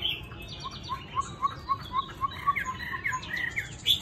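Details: Tamed Chinese hwamei sings softly. A quick series of short, low whistled notes repeats about four times a second, with fainter higher warbles above and a brief bright note at the end.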